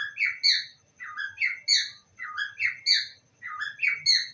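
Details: Pet parrot repeating I love you: clusters of scratchy, squeaky syllables in groups of three, recurring about once a second, in a quiet room.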